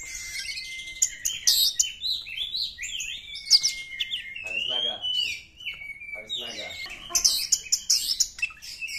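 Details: Wild Oriental magpie-robin singing, used as a lure to set silent, stressed caged birds singing: a long, even whistled note followed by quick, varied chirps and rising and falling phrases. Sharp, high twitters overlap throughout.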